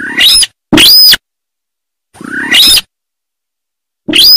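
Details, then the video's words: Sintar bird calling: loud, harsh rasping notes, each about half a second long, with a sharp arched screech rising high then falling. They come in pairs separated by silence, and the background is completely quiet. "Suara Asli Burung Sintar Sawah"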